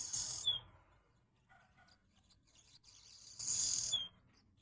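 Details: Swallows singing at a window. A scratchy high buzzing twitter ends in a sharp falling squeak, then after a quiet pause a second burst of the same chatter ends the same way.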